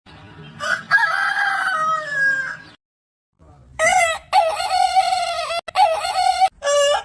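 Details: Rooster crowing: a harsh, rough opening burst, then a sustained crow that fades after about two seconds. A short silence follows, then several loud, clipped, ringing crow phrases come in quick succession.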